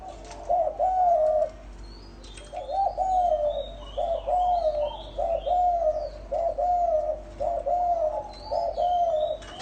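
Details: Spotted doves, male and female, wild birds calling to excite a caged decoy dove: a run of mellow, hoarse coos, each phrase a few slurred notes, with small birds chirping high in the background.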